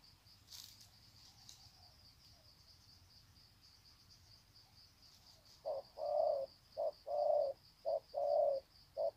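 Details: Trained decoy spotted doves greeting each other with long cooing sequences, Sê San, 21 February 2020; after five quiet seconds with a steady high hiss, low mellow coos begin, a short note followed by a longer one, repeated in pairs.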